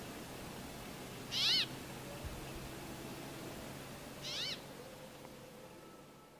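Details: Two nasal, rasping wheeze notes from a brambling contacting its mates, spaced about three seconds apart, the later one softer, with steady background hiss.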